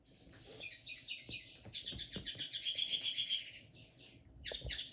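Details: Linnet hybrid kept in a cage, recorded in 2022 as it begins to sing: rapid twittering chatter of short chirps and trills, rising into a dense warbled stretch before breaking off, with light cage noises.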